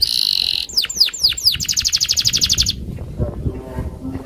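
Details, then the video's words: Agitated loper canary singing to challenge a rival: a steady high whistled note, then a few steep descending sweeps, then a fast even trill of repeated buzzy notes, ending abruptly with low background rumble afterward. "Suara Burung KENARI LOPER NGAMUK Menantang LAWAN untuk BUNYI"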